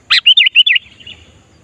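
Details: Sooty-headed bulbul singing to lure wild bulbuls: one fast phrase of five loud bubbling whistled notes, fading into faint softer notes.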